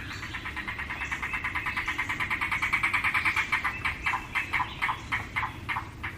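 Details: In the American Midwest, where it is known as the rain crow and its summer-afternoon croaking was taken as a sign of incoming rain, a Yellow-billed Cuckoo gives a long run of hollow, knocking croaks and rattling gulps, about three per second, slowing toward the end.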